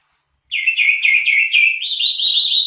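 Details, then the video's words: Greater green leafbird song: a string of about six quick, slurred whistled notes, then a steady higher, ringing phrase held to the end, loud and clear with no background noise. "suara burung cucak ijo"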